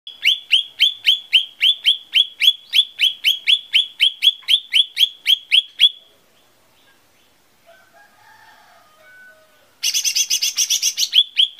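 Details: Lesser green leafbird song used as a lure to get birds singing: about twenty-two sharp chirps, each a quick downward slide, repeated steadily for six seconds. Then a pause with faint lower notes, and a dense buzzy rattle near the end.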